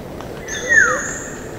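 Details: Clear, musical Black-naped oriole whistle that swoops smoothly downward in pitch in a single fluid note, with soft background hiss behind it.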